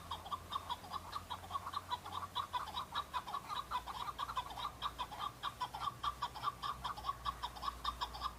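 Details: Male chukar partridges in fighting season calling and answering each other before fighting, to show strength and draw females; long steady run of loud clucking chuk notes, nearly 100 per minute, with a faint low hum.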